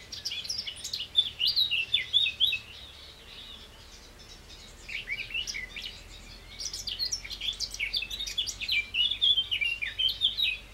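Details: Eurasian blackcap singing in the Wangental bird sanctuary: rich, fast warbling phrases of mixed whistles and chattering notes, two long bursts separated by a brief lull, with a quieter background of other twitters.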